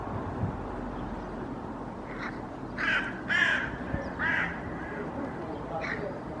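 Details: Hooded crows in a Helsinki park, Finland, on 8 May 2024, mobbing a common raven that carries pigeon pieces until it leaves; a handful of harsh, rasping caws cluster mid-clip over a steady low rumble of background noise.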